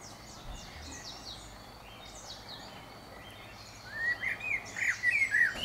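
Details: Common blackbird singing. Faint high notes come first, then a clearer run of short whistled notes in the final two seconds, over steady background noise.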